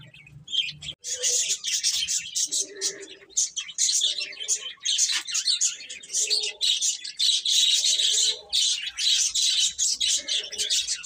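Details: A group of chicks chirping almost without pause, many piercing high peeps overlapping, with faint lower warbling notes recurring underneath.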